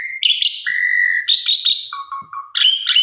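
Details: Pied myna song used to lure others into song: long, steady whistled tones broken by short buzzy bursts, with lower repeated whistles near the end.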